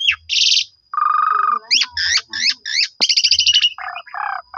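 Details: Black-collared starling song as a lure for other starlings: a buzzy burst, then a lower rattling trill, repeated rising slurred notes, a fast high trill and low nasal buzzes.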